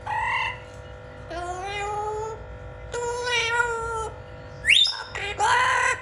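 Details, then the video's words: Blue-fronted amazon parrot described as funny talking: a run of drawn-out, harmonic-rich calls, some steady and some sliding upward, including a sharp rising squeal near the end, over a constant tonal hum. "Blue-font Amazon Parrot Funny Talking"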